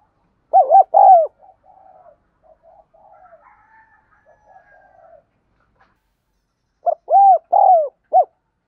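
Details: Spotted dove coo used as a lure to stir up wild birds. Two four-note cooing phrases, each with short, long arched and clipped notes, are separated by several seconds of faint, low murmuring sounds.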